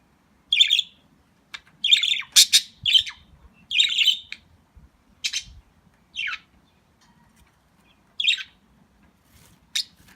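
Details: Budgerigars out in the sunshine give short, scratchy chirps and warbles in irregular bursts with brief pauses between.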